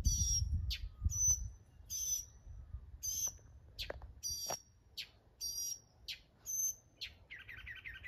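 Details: Singing mockingbird switching between sharp high whistled notes, quick downward clicks and a final buzzy trill lower in pitch, phrases roughly once a second, with low rumble early on.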